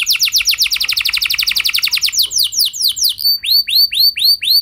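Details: Canary lure song for getting other canaries to sing: a very fast, even trill of bright falling notes that gradually slows into spaced, arching whistled syllables.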